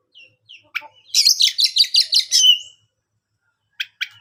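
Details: Oriental magpie-robin singing to provoke other magpie-robins into answering: a few soft chirps, then a loud burst of rapid, repeated buzzy whistled notes ending in a long drawn-out whistle, followed by two sharp clicks.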